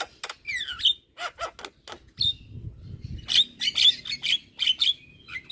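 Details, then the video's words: Javan myna, a champion songbird, in constant song: a falling whistled slur and clicks, then a run of sharp, high, buzzy chirps repeated about twice a second, with faint low rumbling. "Masteran Juara Burung Jalak Kebo Gacor Tak Henti Henti Ngoceh Seharian"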